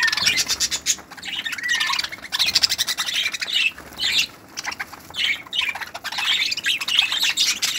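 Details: Dense, loud budgerigar chatter from a 2018 breeding aviary: continuous raspy warbling and squawking in repeated waves, barely pausing throughout.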